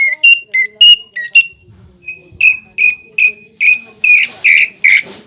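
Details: A greater green leafbird sings a pelatuk bawang-filled song. Paired whistles alternate in pitch, followed by a run of loud, evenly repeated whistled notes that turn harsher and buzzier at the end.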